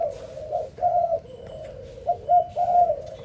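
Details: Spotted dove heard in the morning giving a run of low mellow coos, overlapping phrases close together with light background noise.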